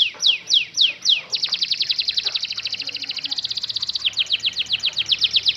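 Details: Canary singing a long roll: four loud downward-sweeping whistled notes, then a fast, even, high trill of short repeated notes that runs without a break to the end, about four per second, with a faint low hum underneath.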